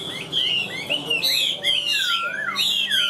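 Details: Caged Chinese hwamei kept for sale, singing steadily once hung out: loud, varied whistled phrases sliding up and down, with rising and falling swoops and quick trills repeated with barely a pause.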